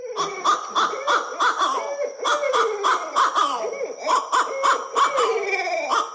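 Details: Barred Owls in a caterwauling chorus: overlapping cackling hoots, whoops and gurgles rising and falling in rapid bursts, almost like maniacal laughter; a Maine bird.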